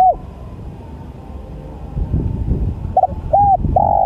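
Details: Spotted dove cooing: soft, low, rounded coo notes, one at the start and a short run of three near the end, against a rumbling background noise.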